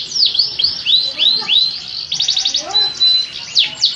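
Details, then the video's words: Singing canary: looping whistled notes, a quick chattering roll, then a long flat pure tone and more swooping phrases. "تغريد مع جميع أنواع طيور الكناري"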